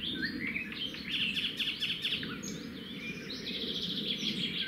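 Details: At a wild red-backed shrike nest by a road, where the male delivers a grasshopper that the female passes to the nestlings. Bursts of rapid high trills and thin chirps repeat over a constant low rumbling noise.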